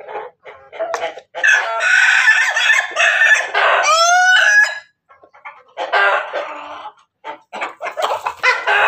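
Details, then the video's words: A crossbred chicken (ketawa, Bangkok and pelung) about to lay eggs at Banguntapan, Yogyakarta, crows in long, harsh, drawn-out phrases that break into rising squeals, then trails off in shorter, choppy bursts. "Ayam hasil persilangan ketawa Bangkok pelung berkokok mau bertelur"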